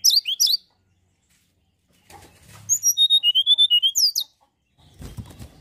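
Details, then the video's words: Song of a mountain tailorbird, played to stir other birds into singing: a quick high phrase, a pause with faint rustling, then an even run of about twelve clear whistled notes, and closing low scraping noise. "tledekan gunung gacor pancingan burung anda"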